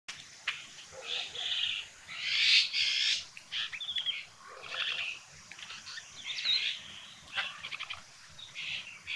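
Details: Red-billed blue magpie at Sattal, Uttarakhand, India: a run of harsh, raspy, screechy notes, some drawn out and some clipped, with several rapid clicking bursts scattered between them over about nine seconds.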